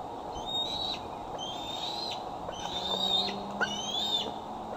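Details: Decorah bald eagle at dusk, 8:44 pm CDT, 12 July 2011, a female carrying a newly fitted transmitter settling onto her branch: scattered thin whistled calls, some fainter and some sharper, under steady hiss with low hum.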